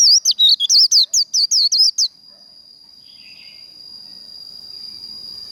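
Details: White-eye (vành khuyên) in contest 'líu' singing, a training recording to fire up the bird: about eleven rapid, high, sweeping whistled notes packed into two seconds, then quiet with a thin steady high whine in the background.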